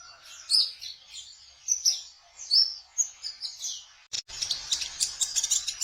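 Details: Kolibri ninja sunbird in trotol style, played as a lure for trapping konin birds. High thin chirps and quick twitters repeat over several seconds, then a dense rattling burst of rapid notes takes over near the end.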